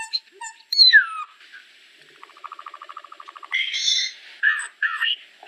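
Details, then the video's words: Solitary cacique (Cacicus solitarius) song: sharp chips, a loud descending whistle, a rapid dry rattling series of clicks, then harsh nasal squawks. "Boyero Negro Canto! Llamado! Sonido! Cantando - Solitary Cacique Song"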